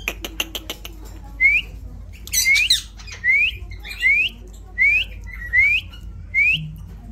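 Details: Indian ringneck parrot, a talking pet: a burst of rapid clicks, then seven short upswept squawking notes repeated about every three quarters of a second.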